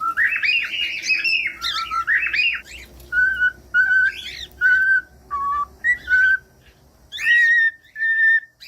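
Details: Cockatiel song meant to get a cockatiel singing: an opening stretch of rough, buzzy warbling, then clean short whistles at steady pitch, separated by brief gaps.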